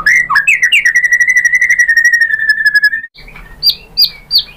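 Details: White-rumped shama song for provoking rival shamas to sing: a few slurred notes lead into a long rapid trill held steady for over two seconds, followed by three sharp high notes.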